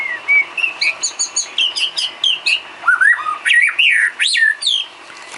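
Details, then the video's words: White-rumped shama song used as filler for training cage birds: a rich run of clear whistled notes, sliding up and down, that grows into quick swooping phrases. The notes come in short bursts about every third of a second. "Isian kicau burung murai batu"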